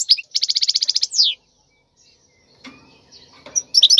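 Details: Goldfinch song for teaching young birds, heard as a short fast buzzy trill ending in a descending slur, then quiet with soft clicks and knocks before a last brief twitter.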